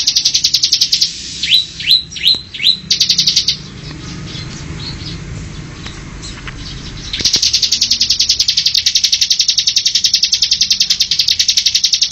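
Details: Rapid-fire ngebren song of a Bar-winged Prinia (ciblek): high, fast ticking bursts, broken by several sharp downward-sweeping whistles and a quiet pause, then a long unbroken machine-gun-like rattle to the end.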